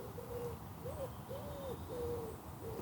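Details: A pigeon gives soft, low, hollow coos, five in under three seconds, each slightly arched in pitch, over a steady outdoor hum, by a carp pond on a late-summer morning.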